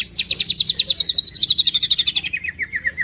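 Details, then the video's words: Green leafbird in a birdkeeping masteran song recording: a fast trill of about twenty high, sharp repeated notes, steady at first then gliding gradually downward in pitch, each note clipped and evenly spaced. "There is no doubt that this green cucak bird is a super luxurious suwara."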